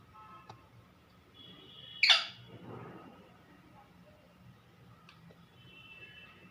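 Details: Talking pet parrot calling its owner indoors: a single sharp, piercing squawk around the two-second mark, followed by a softer breathy rasp, then quiet room tone with faint tonal hum.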